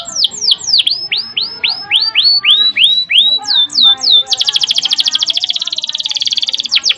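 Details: Canary in strong song, a long, tight rolled trill used as a master recording: a series of loud descending whistled sweeps, then an extended, very rapid, even buzzing trill held for about three seconds.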